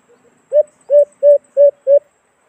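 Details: White-eared brown dove call used to lure the bird into a cage trap: two faint soft notes, then five strong, low, hollow hoots at a steady pace, background quiet.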